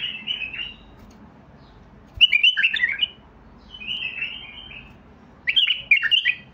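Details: White-eared bulbul song in repeated bouts: short, rich, bubbling phrases of quick rising and falling whistles separated by pauses of over a second, with low background hum.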